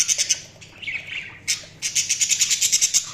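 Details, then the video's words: Budgerigar chirping: rapid clicking chatter, a warbled lower phrase, a sharp squawk, then a fast train of about a dozen even, buzzy high pulses, loud and close. "Budgies Sounds| Budgies Chirping sound"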